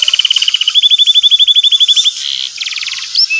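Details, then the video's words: Canary lure song for a young canary learning to sing: a long rapid trill of repeated notes accelerating and rising slightly, then a buzzy section and a short fast trill, with background hiss. "pancingan burung kenari gacor cuit cuit emosi,kenari paud belajar bunyi ngeriwik"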